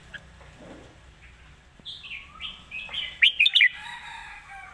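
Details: Red-whiskered bulbul, its song noted for good phrasing and light delivery: soft, drawn-out whistles build gradually, ending in three loud, sharp whistled notes in quick succession before trailing off.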